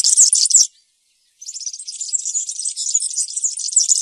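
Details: European serin delivering campero-style song: a loud, squeaky jingling phrase breaks off, then after a short gap comes a softer, steady stream of high, sizzling chatter.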